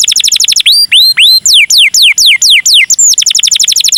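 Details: Canary in ornate cengkok mewah song, used as a lure for other canaries. A quick trill gives way to rising whistles and then to long downward swoops about three per second, before closing in another rapid trill.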